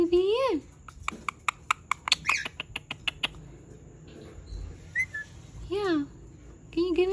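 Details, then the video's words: Angry Indian ringneck parakeet with a wavering harmonic call, a rapid series of dry clicks, a brief high chirp, and further swooping notes. "ANGRY INDIAN RINGNECK SOUNDS"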